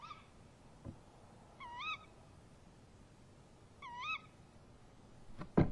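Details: Tawny owl pair at a nest box, 03:07 at night, 23 March 2015, with the male opening and the female answering: two loud, clear rising kewick calls about two seconds apart, with knocks and thumps between them.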